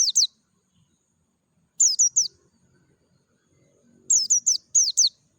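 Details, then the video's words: Oriental white-eye of the Dakun type, in the wild in natural surroundings, giving clear, very high, thin downslurred chirps in tight groups of two to four notes, separated by long silent pauses; faint low rustling in the background. "PLECI DAKUN NGALAS SUARA JERNIH"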